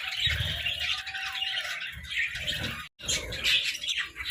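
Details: Pet budgerigars at sunrise give busy warbling chatter and sharp chirps, with a brief total dropout near the three-second mark and low thuds from movement underneath.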